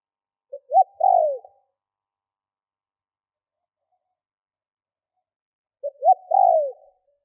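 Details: Spotted dove lure cooing meant to draw wild doves. Two separate three-part phrases, a faint pip, a sharp short coo and a longer falling coo, are heard about five seconds apart with silence between.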